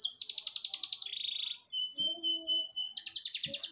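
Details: Energetic canary song used as a tutor recording for other birds, with a fast pulsing roll, a long flat whistle with a lower tone beneath, then another quick rattling trill.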